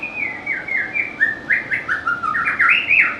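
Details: Loud, lively White-rumped shama song: rapid, fluty slurred notes tumbling up and down, about three or four per second, each phrase run closely into the next.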